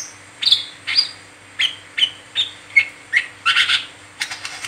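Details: Brown-throated sunbird (wiceh) in 'ngeriwik teler' singing, used to draw song from other birds; a string of clear high whistled chips, a few slurred upward, ending in a quick chattered burst.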